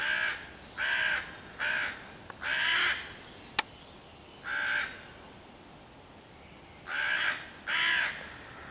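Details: On 11 June 2023 a hooded crow harasses five young raccoons in a tree, cawing loudly to drive off the predators and rally other crows: seven rasping caws in uneven groups, with one sharp click between them.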